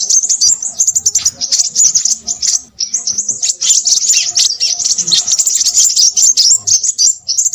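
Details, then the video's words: Crimson sunbird singing loudly and busily: a thin, very high torrent of rapid tics and buzzy trills, with a brief pause near two and a half seconds. "burung sepahraja ribut"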